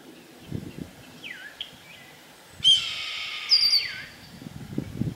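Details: Red-tailed hawk (Buteo jamaicensis) calling from hidden in a tree in spring at Bemus Point, possibly reacting to the observers: a hoarse, raspy scream about a second long with shorter downslurred notes, faint chirps and low rumble behind.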